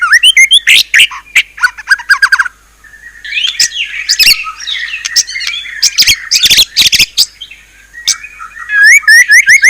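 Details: Isian-style song of a white-rumped shama, a fierce rapid mix of high chirps, harsh squawky notes and scratchy chatter, with a brief quiet gap before bright upswept whistles resume.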